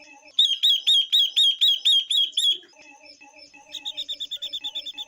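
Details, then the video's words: Female Chinese hwamei, heard alongside a female ngũ sắc bird, used to excite male birds: a fast, even series of about nine bright repeated whistled notes, then a softer pause with quiet chatter, then a quicker, fainter repeated series. "Ngũ Sắc Mái Kèm Quế Lâm Mái Kích Trống Thật Nhạy.Tiếng Chim Ngũ Sắc Mái/ Quế Lâm Mái Hót"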